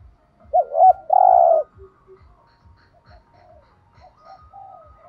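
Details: Spotted dove cooing in the thúc gù style, used to provoke other doves to call: two quick rising notes, then a loud sustained coo, followed by quieter broken coos over a steady low ticking.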